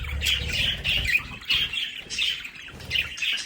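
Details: Pet budgerigars in a home play area producing a continuous buzzy warble of short chirps, repeated in pulses about every half second, with a low hum underneath.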